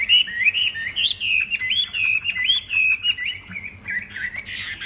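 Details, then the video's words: A tame kept Chinese hwamei sings a rich, continuous run of loud whistled phrases, with rising and falling slurs packed closely together and scratchy notes mixed in. "Họa Mi thuần đẹp hót hay"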